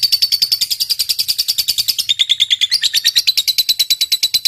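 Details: Lovebird in full 'ngetik panjang' song, recorded for bird training: a fast, buzzy stream of high chirps, roughly three per second, shifting slightly lower in pitch midway and then holding steady.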